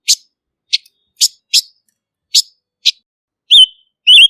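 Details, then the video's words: Silver-eared mesia, known locally as Ngũ sắc, giving six short sharp chip notes at uneven intervals, then two longer wavering whistles; quiet background. "Tiếng chim Ngũ sắc mồi không tạp âm | Kim oanh tai bạc | Silver-eared Mesia"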